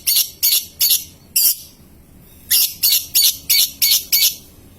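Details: Young lovebird heard as a lure for long ngekek and ngetik singing; rapid runs of harsh, shrill chattering notes, about three per second, in two bursts with a short pause between.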